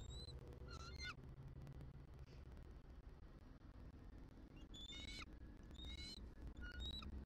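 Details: Distant bald eagle chitters at a Southwest Florida nest, November 2023: a short burst at the start and another cluster near the end, half buried in loud low wind-like rumble.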